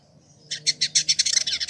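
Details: Caged Village indigobird (Vidua chalybeata) in Bandung, West Java, Indonesia, kept a year as a tutor bird. A faint thin note leads into a quick run of about ten loud buzzy chips that speed up toward the end.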